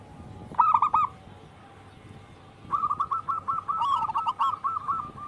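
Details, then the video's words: Zebra dove of a local wild strain: a short cooing phrase, almost two seconds of quiet, then a long rapid series of mellow repeated coos with a faint higher call overlapping. "Pancingan burung perkutut lokal alam gacor"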